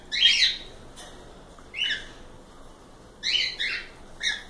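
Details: Group of cockatiels producing four harsh, buzzy squawks with stacked harmonics, the last two rapid and paired, separated by short silences in a quiet setting.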